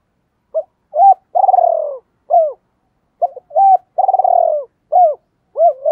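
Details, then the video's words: Captive decoy spotted dove calling in the "double voice" style used to lure wild doves. Two full phrases: a short coo, a hooked note, a long pulsed, falling coo, then an arched note, with a silent gap between phrases. "Tiếng Chim Cu Mồi GIỌNG ĐÔI Gáy Gọi Hay Nhất/ tiếng chim cu gáy kích"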